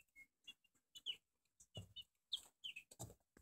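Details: Young Barred Plymouth Rock chicks, four weeks old, uttering sparse high peeps and short sliding chirps between soft knocks and shuffling sounds.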